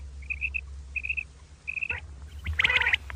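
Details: Common quail calling in the morning: three clear high triple-note phrases, each a quick liquid three-syllable burst about half a second apart, then a harsh rasping burst at the end, with a low steady hum throughout.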